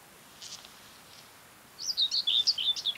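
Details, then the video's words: Mid-May singing Common Whitethroat (Sylvia communis), Ona Island and Hustadvika, Møre & Romsdal County, Norway; after faint quiet notes, a quick scratchy chattering phrase of jumbled high notes bursts out and runs to the end. "Singing Common Whitethroat warbler"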